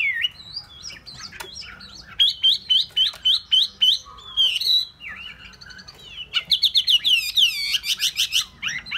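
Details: Hwamei sings a lively series of repeated whistled notes in quick sequences, interspersed with sharp clicks and bright rising-falling phrases, very loud and varied.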